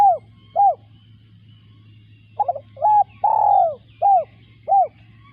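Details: Two short coos close a spotted dove phrase. After a gap of about one and a half seconds comes a full new phrase: a rolling lead note, a short coo, a long falling coo, then two short coos. Steady low hum throughout.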